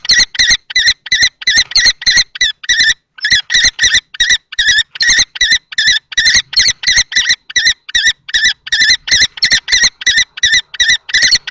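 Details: Two male common kestrels clash over a nest box at Théding, France, on 20 March 2024, the adult trying to drive off the young male. Rapid shrill rasping notes run on steadily, with one brief pause.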